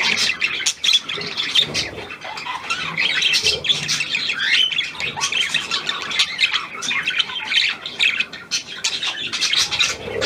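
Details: A newly acquired, hand-tame Australian pied budgerigar chatters nonstop with harsh, high squawks and warbled twitters, flowing in dense rapid runs.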